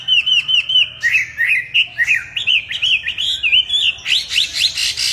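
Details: Chinese hwamei in song: a run of repeated clear whistled notes, then varied slurred and upswept phrases, ending in buzzy, harsher high notes.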